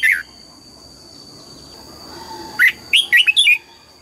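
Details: Red-whiskered bulbul in morning voice training for the 'âm kép' double-note song of a seasoned wild bird. One sharp note opens, then after two seconds of quiet comes a rapid burst of five or six bright, looping whistles.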